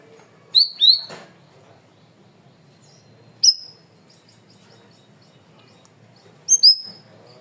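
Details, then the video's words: Cream-vented bulbul singing in a loud, clear training recording: a pair of sharp high notes, a single chirp after a long pause, then another quick double note, with quiet background murmur. "MASTERAN BURUNG CUCAK RAWIS/BAYEMAN GACOR SUARA KERAS DAN JERNIH"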